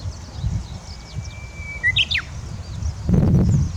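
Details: Japanese bush warbler singing on the Sai River riverbed: a long, steady whistled note held about a second and a half, then a quick, sharp phrase of rising and falling notes. Low rumbling background noise with a louder burst of noise at the end.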